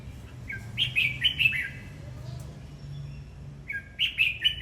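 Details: Red-whiskered bulbul in song, two lively phrases of rapid, slurred whistles rising and dipping, a second phrase starting after a short gap, with a faint low hum beneath.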